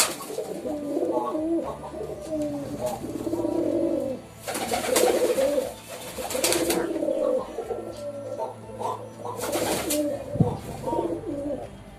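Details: Pigeons cooing in repeated throaty, rolling bursts, broken by several loud flurries of wing flapping and scraping movement.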